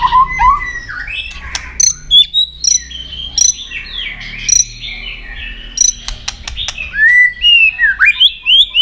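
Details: White-rumped shama singing in a fighting duel, flicking its tail to provoke another bird: varied whistled notes rising and falling, separated by sharp clicks and short pauses.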